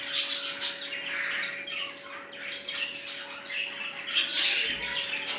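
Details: Budgerigars in a newly set-up colony, some red-eyed, keep up fast overlapping chirps and harsh squawks with no pause, over a faint constant electrical hum.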